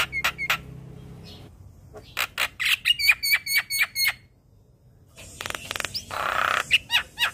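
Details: Young Asian pied starling singing: quick repeated notes, a run of clicking calls with high metallic whistles, then a harsh rasp and more squeaks.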